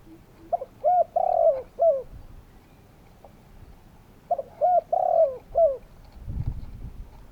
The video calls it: Spotted doves calling!